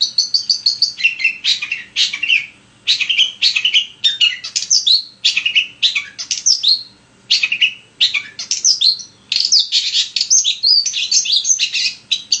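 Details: Long-tailed shrike singing non-stop as a lure to trigger another shrike: a fast, varied medley of high whistles, sharp chips and scratchy trills in dense phrases broken by short pauses.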